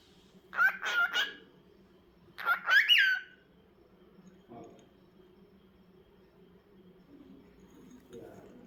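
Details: Cockatiel giving two short bursts of harsh, rising, screechy calls about two seconds apart, the second ending in an upward sweep, followed by quiet with a steady low hum in the background.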